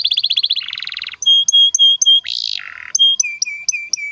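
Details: Canary performing a long lure song for young and silent canaries: rapid pulsed trills, a string of short repeated whistles, a harsh buzzy burst and more clipped whistled notes.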